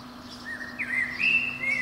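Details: Eurasian blackbird, a protected bird, singing from a pine treetop under a window in early spring morning. A brief, soft flute-like phrase swells into a brighter, higher whistle; a low hum runs underneath.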